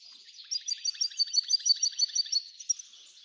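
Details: A singing F1 hybrid goldfinch gives a short run of steady, evenly spaced high chirps, about five per second, over a soft twittering background.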